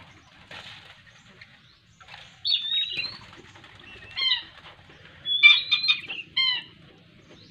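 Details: A young Black-winged kite being hand-fed squirrel meat gives short, thin, squealing whistles in four quick bursts, some wavering or descending, with soft rustling and handling noise between.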